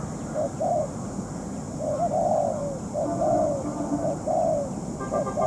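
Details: Ground decoy spotted dove, moulting, in a trapping session with a stubborn wild bird; low, rounded coos in uneven groups, some longer and slurred, over steady outdoor hiss.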